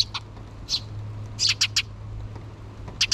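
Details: Two young sparrows begging for food from their mother before leaving the nest, June 2023: a few separate squeaks, then a rapid burst of four high chirps, one more pair at the close, over a low hum.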